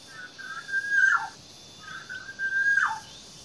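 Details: Nine-day-old green pigeon nestlings hand-fed in the early morning before sunrise; two drawn-out whistled calls, each level then dropping sharply at the end, about a second apart, with faint background hiss.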